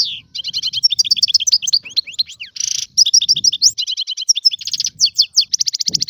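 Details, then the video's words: Free Algerian European goldfinch singing a dense, fast twittering song of sharp high chirps, buzzy trills and liquid notes, delivered almost without pause; faint low rumble underneath. "تغريد طائر الحسون الحر"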